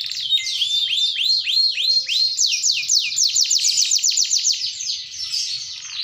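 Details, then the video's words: Long rolling song by a panda canary singing hard: swooping high notes slowing and then speeding into a rapid, even trill of short strokes, continuous and loud, tailing off softly. "Kenari Panda Gacor Geroll nemb4k panjang"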